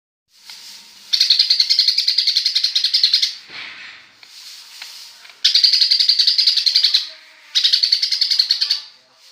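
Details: Greater green leafbird singing a sparrow imitation: rapid bursts of high, evenly pulsed chirps lasting one to two seconds each, separated by softer twittering, with a quiet background.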